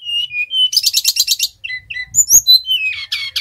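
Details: Lure recording of a brown-chested jungle flycatcher (Bali type) in full song: thin whistles, a rapid rattling trill of bright repeated notes, then short slurred whistles and sharp high chips rising and falling.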